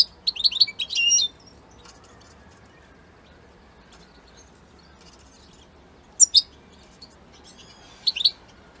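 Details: European goldfinch from Italy opening with a quick, tinkling twitter of high notes, then long silence broken by two short bursts of bright chirps near the end.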